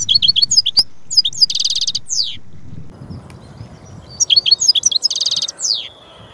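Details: European goldfinch song of liquid twittering notes mixed with buzzy rattles and downslurred phrases, sung in two bursts with a quiet gap between them.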